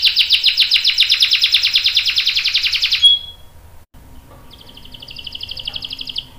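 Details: Canary roll used as a prompt for other canaries: a dense fast trill for three seconds ending in a brief whistle, a pause, then a softer rapid trill further off.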